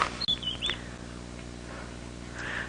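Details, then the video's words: White-browed Scrub Robin singing unseen from the treetops on a morning safari drive on June 11, 2017: a few clear high whistled notes slurring downward, then a fainter hoarse phrase, over steady engine hum. "okay let's see who else there's someone else calling it sounds like maybe a white brow scrub Robin singing"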